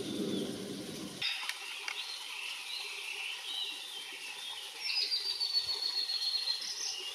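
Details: Blue-and-white flycatcher singing at Enkaizan on 23 May 2020; after a burst of low rumbling noise, clear whistled phrases around the middle pitch range, ending in a long thin high whistle and a short warble.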